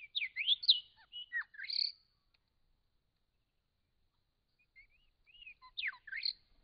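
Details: Wild grey shrike-thrush filmed by camera trap in regional Victoria, Australia: a clear run of rich, liquid whistled notes with sharp rising and falling sweeps over about two seconds, then a pause and a shorter, similar phrase.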